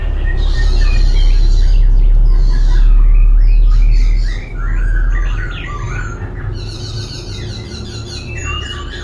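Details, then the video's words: Dancing laughingthrush in full song, constantly changing its voice: loud, dense tumbling phrases of trills, sweeping whistles and chatter over a strong low rumble. "Khướu vừa hót vừa múa , Đảo giọng liên tục"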